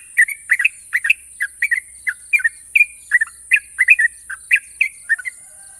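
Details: National champion sooty-headed bulbul singing long, sharp trills (ropel): a steady run of short, bubbly, slurred chirps, roughly three per second, each note rising and falling, over a constant high-pitched hiss.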